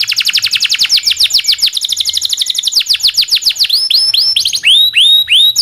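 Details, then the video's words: Local canary with long song and roll, played to train songbirds such as the magpie-robin; dense rapid falling trill, then slower rising hooked whistles. "kenari lokal panjang dan roll masteran burung murai"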